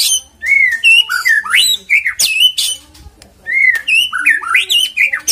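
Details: Varied white-rumped shama song used as a lure to make birds sing. Loud, swooping whistled notes rise and fall in quick succession, in two phrases with a brief pause between them.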